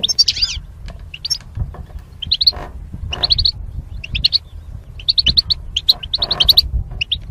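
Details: Paired goldfinches kept in cages behind wire barriers: an opening buzzy warble, then clusters of quick high twittering chirps repeated through the clip above a low hum.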